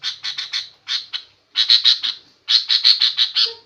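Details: Noisy, agitating calls from a female sooty-headed bulbul that is said to provoke any bird into answering aggressively: rasping, buzzy notes given in fast clusters of three to seven, separated by brief gaps.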